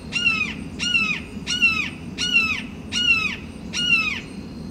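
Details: Red-shouldered hawk on a perch calling territorially at rival hawks: six strident, descending screams in a steady series, about 83 per minute. Each note is rich and harsh and slides downward, with quiet ambient hiss between calls.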